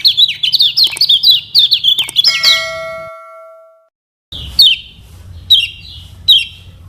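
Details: Lemon-bellied white-eye from Lombok, a yellow and greenish-yellow songbird, singing as a lure for birds learning to sing: rapid high warbled phrases for over two seconds, then a ringing tonal ring that fades into silence, then a few short sharp chirps.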